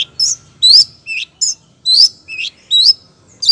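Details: Female long-tailed shrike calling the male, loud and busy: sharp chirps and harsh notes around high pitch, some with quick upward sweeps, in rapid bursts about every half second, over a faint low hum.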